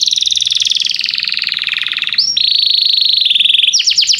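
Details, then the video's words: Canary singing to encourage juvenile canaries to learn song: a fast trill drifting downward, a short upward slide, an even steady trill, and closing rapid rising notes. "Kenari gAcorr cuit cuit emosi, Pancingan untuk kenari Paud belajar bunyi"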